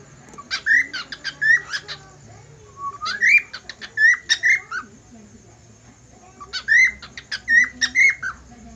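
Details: Whistling budgerigar giving two bursts of song split by a pause: rapid clicky chirps mixed with bright rising whistles, each burst lasting about two to three seconds.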